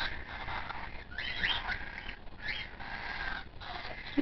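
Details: A 22-day-old hand-reared white-faced cockatiel chick gives harsh, raspy begging calls in quick, pulsing bursts while being hand-fed, on about four feedings a day; faint handling noise behind.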